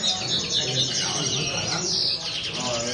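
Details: Common linnets singing: a dense, continuous high twittering of quick chirps and short warbled notes, with a brief brighter whistled phrase near the end and a faint low background rumble.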